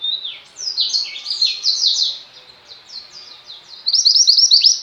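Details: Lively song of a female pleci white-eye of the mountain type, mantenan gunung. Fast, high, chattering chirps in uneven runs, with a short dip mid-way and a brighter, quicker burst near the end.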